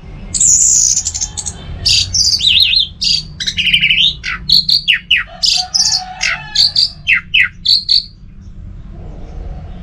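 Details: Caged orange-headed thrush singing a loud, varied song of whistled phrases, slurred rising and falling notes and clipped high chips, delivered in bursts with brief pauses.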